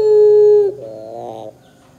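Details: Puter pelung (Barbary dove) lure song meant to make young doves start calling: a long, steady low coo that slides down at its end, followed by a softer, rough, warbling roll that fades out.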